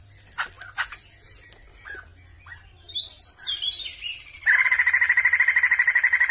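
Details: Varied chirps and sliding whistled phrases from a Sumatran crested laughingthrush give way to a loud, steady rattling trill pulsing rapidly for the last two seconds, faint low hum in the background.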